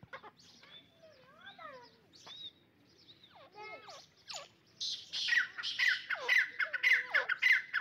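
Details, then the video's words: A partridge fight: varied sliding and descending whistled notes at first, then a dense run of loud harsh notes repeated about twice per second. "dakni teeter ki jung"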